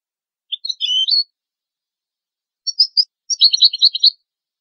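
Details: European goldfinch song for teaching chicks and hybrids: a descending twittered phrase, a pause, then short chirps leading into a quick jangling twitter, no background noise.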